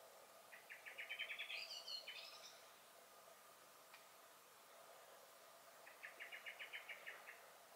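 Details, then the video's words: Common blackbird in a May garden, 23 May 2021: a rapid chattering series that slides into a thin, squeaky, high twitter, a pause with a soft click, then another run of quick even chack notes. "Song and Alarm Calls of the Blackbird"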